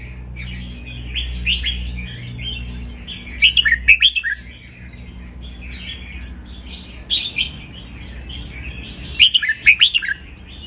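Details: Red-whiskered bulbul song played to teach young birds: short, bright, liquid whistled phrases in two bursts over a steady chatter of other small birds, with a low hum at the start.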